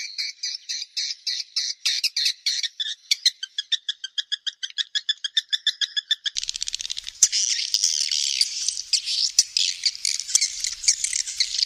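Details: Swiftlets giving rapid series of dry, clicking chirps that speed into a dense, continuous buzzing chatter in the second half.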